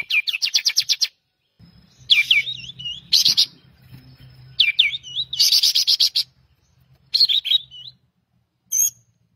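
Pied triller song: rapid bursts of high, sharp chirping trills, with swooping whistled notes between them, repeated every second or two.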